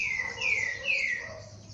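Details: Wild birds singing in nature at dawn: clear whistled notes that slide downward, repeated several times in quick succession over a steady hiss of high insect-like background noise.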